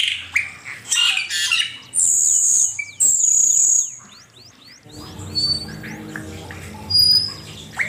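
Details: Asian pied starling, from a master recording meant to train songbirds: harsh chattering bursts, then long, piercing high whistles and rapid falling slurs, fading into scattered thin whistles over a steady low buzzing background.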